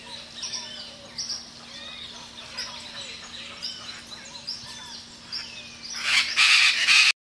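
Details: A pair of chestnut-fronted macaws in the early morning on the cattle farm of Hato El Cedral, Venezuela: a busy chorus of thin chirps and whistles from many birds, then loud, harsh, raspy squawks burst out near the end.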